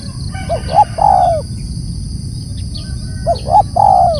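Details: Spotted dove calling loudly: two phrases, each two short low hooting notes followed by a longer slurred coo that falls at the end, roughly three seconds apart, over a steady high-pitched whine and low background rumble.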